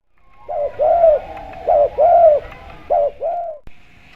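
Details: Spotted dove with a clear voice, used as a lure to draw other doves into calling: soft arched coos, a short pair, then a longer drawn coo and two more short ones, all low and mellow, over faint background hum.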